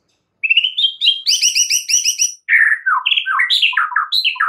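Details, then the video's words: White-rumped shama singing a master song meant to make caged shamas excited and sing along; a rapid run of bright repeated chirps, then lower slurred whistled notes, loud and clear with no background noise. "murai batu AKAN EMOSI dan IKUT GACOR dengan MASTERAN murai batu ini"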